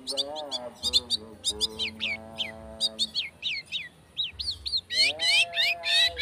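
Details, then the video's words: Fast speed rapet singing by a long-tailed shrike, a lure meant to provoke singing: quick clusters of sharp chirps and downslurred notes, a brief lull, then a dense, loud jumble of high scratchy phrases; a low droning tone runs through. "Cendet Speed rapet - PANCINGAN CENDET"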